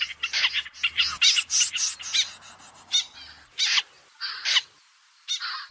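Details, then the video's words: End-of-season common snipe call: harsh, scratchy notes, first in a quick irregular series, then single rasping bursts spaced about a second apart, some reaching very high pitch. "TIẾNG CHIM DẼ GIUN CUỐI VỤ"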